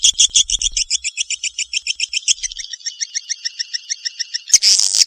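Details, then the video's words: Swiftlet in Kalimantan: a long run of high, clear chirps repeated several times a second, slowing and softening slightly, ending in a burst of loud harsh buzzing. "suara walet kalimantan"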